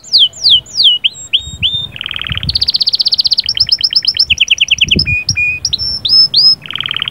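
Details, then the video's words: Canary song of sahsahat and batbatat phrases, intended to stimulate a female; sweeping downslurred whistles give way to buzzy rattles, rapid high trills and clipped repeated notes, with varied tours in quick succession. "صهصهات وبتبتات طائر كناري غول و تغريد🔥🔥 يجهزلك الانثي فورا"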